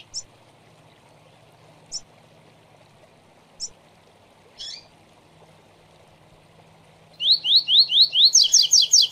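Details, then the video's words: A double-collared seedeater gives three thin high notes about two seconds apart and a dropping note, then a fast run of bright slurred whistles, over a low hum. "Tui Tui Zel Zel Zel Três Notas Manejo e Encarte Top!!! - Coleiro Professor Aprendizado"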